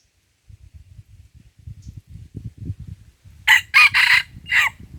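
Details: Red junglefowl at Lamteuba, Aceh, during trapping with a decoy; a loud, harsh crow in four rough bursts, the last cut short, over low thumping and rustling close by.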